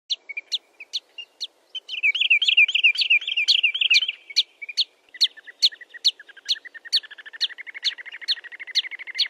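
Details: Sandpiper calls, described as clean with no background noise: sharp high ticks repeated about twice a second, overlaid by bursts of rapid trilled twittering in the middle and a lower rapid trill near the end.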